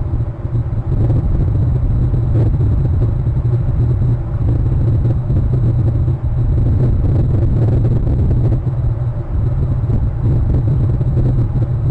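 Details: Only a steady, heavy low rumble like wind or distant traffic is heard throughout, with no animal voices.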